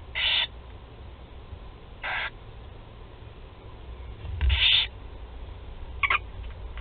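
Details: Barn owl chicks, four young being fed at the nest in Théding, France, 16 July 2020: short rasping hisses spaced a couple of seconds apart, the last one clipped and brief.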